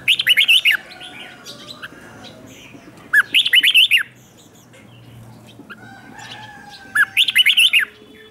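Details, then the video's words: Red-whiskered bulbul used as a decoy to call wild birds in, recorded without background noise: three short bright warbled phrases of quick rising and falling whistled notes, spaced about every four seconds, with faint steady tones between. "Chào mào mồi gọi bổi không tạp âm, tiếng chào mào mồi gọi là đến"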